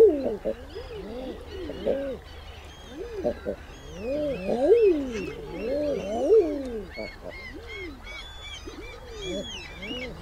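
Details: Common eider flock: many overlapping, drawn-out moaning calls, each an arched rise and fall, crowding the middle stretch, while higher, thinner cries from other birds run across the top throughout.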